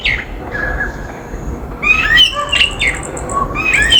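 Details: Common myna visiting a backyard in India, giving a few slurred, whistled calls with a harsh squawky edge, some rising and some falling, in short bursts separated by brief pauses; steady outdoor background hum.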